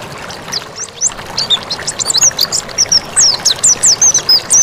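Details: Song of a mountain white-eye, kept as a master tutor recording: a brief quiet start, then a lively run of high, thin whistled notes and downslurred chirps repeated in quick succession, with faint hiss behind.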